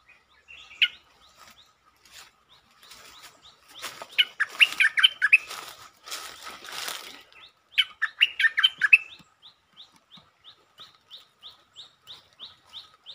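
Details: Streak-eared bulbul singing, recorded 13 February 2023, with several song styles including long and doubled phrases: a brief bubbly phrase, then a noisy burst with flutter-like sounds, another quick warbled run, and a trailing series of short regular chirps.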